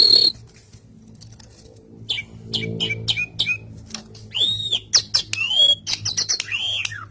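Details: Asian pied starling in a gacor song: a quiet start, then scattered high chirps, followed by looping whistled notes that rise and fall, mixed with quick sharp clicks.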